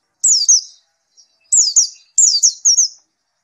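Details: White-eye singing after therapy: three bursts of high, sharply descending slurred notes, each burst holding two or three downward sweeps, separated by short silences, with nothing else audible.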